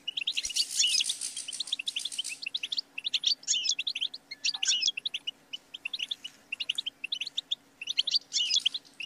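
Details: European goldfinch singing in bursts: an opening harsh, buzzy chatter, then a series of twittering phrases with short pauses between, used to teach and stimulate songbirds; faint background hum.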